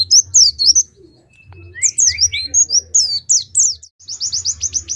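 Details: Caged Oriental white-eye at a songbird contest in Pemalang, Indonesia, pouring out rapid high chirps and downslurred whistles in bursts, ending with a quick run of evenly spaced descending notes; low hum underneath.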